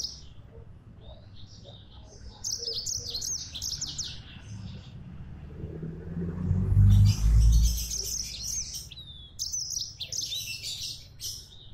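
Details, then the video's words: Yellow-fronted canary in lively gacor song: fast, chattering phrases of high twitters and trills that come in several bursts, with a dull low thump in the middle and a steady low hum beneath. "Burung Mozambik Gacor"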